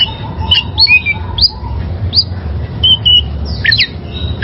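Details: A wild oriental magpie-robin, used as a master song for caged birds, gives spaced bright whistles, slurred upward and downward notes and a few sharp chips over a faint steady hum.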